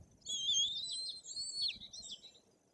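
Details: At a nest in Poland's Bory Tucholskie, white-tailed eagle chicks nearly three weeks old beg during feeding, giving a loud continuous stream of high, trilled and wavering whistles over a quiet background.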